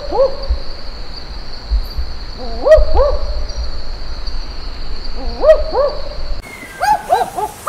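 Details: Barking Owl in the Top End near Darwin, Australia, a bird regularly seen near the hotel: paired, dog-like 'wook-wook' barks repeated a few seconds apart, each note rising and falling, over a steady high electrical hum.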